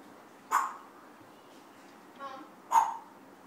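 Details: Frankie, a pet African grey parrot that talks and barks, gives two sharp, bark-like yaps about two seconds apart, with a brief voice-like murmur between them.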